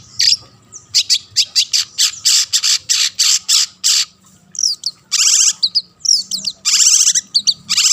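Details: Long-tailed shrike singing loudly to lure other shrikes into song: a steady train of harsh, broadband rasping notes at a regular pace, then dense scratchy bursts mixed with thin twisting whistles.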